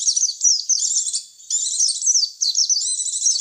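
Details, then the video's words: Lure recording of white-eyes meant to draw the birds in: thin, very high chattering twitter in two long rapid runs separated by a short gap, clear with no other sounds. "Suara pikat pleci"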